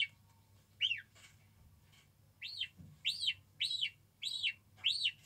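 Guineafowl chicks give high, arched peeps, six in about five seconds at an uneven pace, over a low steady hum.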